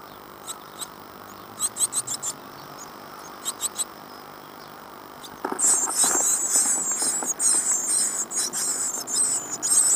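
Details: Nest box of great tit young, day 14 since hatching on 25 April 2011, Falmouth, UK: a few short high squeak bursts, then a sudden loud, continuous chorus of shrill hissing chatter with rustling.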